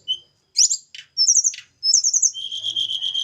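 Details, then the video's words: Snowy-browed flycatcher from Java during pairing: sharp isolated high notes and quick rising sweeps, ending in a fast, even high-pitched trill. "penjodohan tledekan gunung jawa. tempel satu mingu lagsung jodoh. si kecil cabe rawit bersuara merdu"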